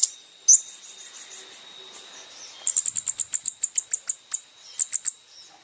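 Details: Van Hasselt's sunbird song from a recording used to train caged birds: a faint high note, then a fast run of sharp, very high chipping notes, about ten in under two seconds, a pause, and a few more chips.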